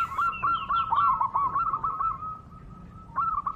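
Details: Wild local zebra dove singing at some distance: a long, fluttering run of quick cooing notes that smooths into a sustained even tone, then a final short burst of coos.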